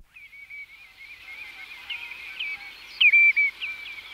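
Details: Common redshank, one of several birds, giving flight calls: a loud, sharp, downward-sliding note near the end, broken into quick pulses, over a steady faint chorus of similar calls.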